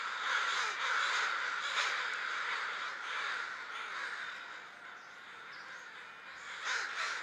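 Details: Many crows congregating before heading to the roost, harsh caws piling on top of one another, loudest at the start, easing in the middle and swelling again near the end.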